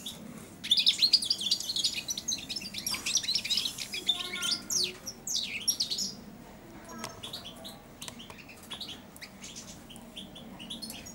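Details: Four-month-old European goldfinch in a cage, singing beside and on the hand that feeds it: bursts of high chattering twitters at first, then sparser notes, with a faint low hum and rustling.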